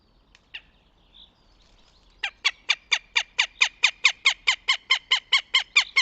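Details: Northern goshawk at its nest near Tartu, Estonia, 26 April 2025: after a few scattered notes, a loud, harsh, rapid cackle of evenly spaced kek notes, about four per second, runs steadily for four seconds against a quiet background.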